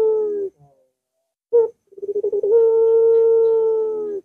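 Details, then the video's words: Puter dove heard as a lure for a lazy singer: a short coo, an abrupt clipped note, then accelerating pulses running into a long, drawn-out, steady coo lasting almost two seconds. "Puter Macet Puter Malas Bunyi Langsung Ngaut"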